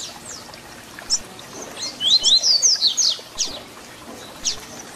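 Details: ["Papa-capim (double-collared seedeater) giving its 'Tui Tui Zel Zel' fibra song, used to train young birds. One loud phrase sounds in mid-clip: paired upward whistles, then a rapid run of sharp high notes. Faint high chirps sound around it."]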